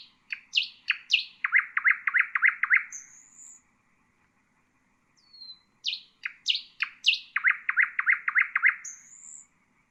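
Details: Two near-identical phrases of common nightingale song, used to train bulbuls and songbirds, each made of sharp staccato notes, a fast series of throbbing pulses, and a closing thin high whistle.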